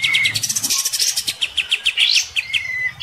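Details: An Orange-spotted Bulbul sings aggressively, countering a neighbour's bird, while bathing: a fast, harsh run of sharp chirps and short rising whistles, several per second, high-pitched and insistent.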